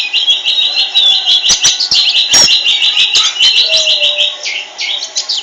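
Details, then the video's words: Oriental magpie-robin singing in full voice, a dense run of bright whistled and chattering phrases packed closely together and held high, with a few sharp clicks and one brief lower whistle in the middle. "burung kacer gacor owor-owor"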